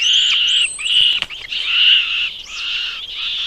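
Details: Bird chicks in their nest being fed by their mother, giving continuous high, harsh, buzzy begging calls with brief breaks and a sharp click near the middle.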